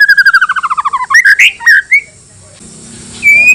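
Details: White-rumped shama song meant to provoke other shamas into answering: a fast rattling trill of descending notes, then a few loud slurred whistles, a pause, and one long level whistle.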